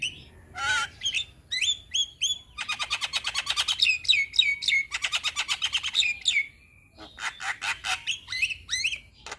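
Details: Lively Javan myna song full of varied content, used as a tutor recording for young birds: a few whistled notes, then long rapid trains of clicking, chattering notes, a brief pause, and another fast rattling burst.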